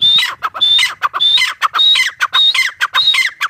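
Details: Grey partridge (teetar) calling loudly and close, in regular repeated phrases about every half second. Each is a high, level whistle and then a scratchy, downward-sliding note, with harsh squawky overtones.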